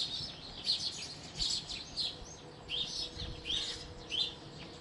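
House sparrow giving bright, harsh chirps in loose bursts about every second, high-pitched and slightly uneven, over a faint low background hum.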